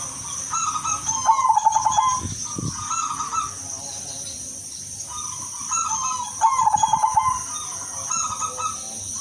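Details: Zebra dove singing constantly in a melodious rhythm, used to lure other zebra doves: two cooing phrases, each opening with soft notes then a rapid pulsed trill of low coos, about five seconds apart, over a steady high hiss.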